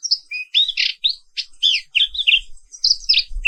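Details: Morning song of a black-capped white-eye (Zosterops atricapilla), a bird found only in Indonesia: lively high warbled chirps and sweeping whistled notes in quick succession, with faint low knocks.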